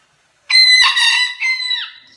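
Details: Pet rooster crowing while fighting his own reflection, a single loud harmonic crow with a strained opening, a sustained middle and a falling, fading end.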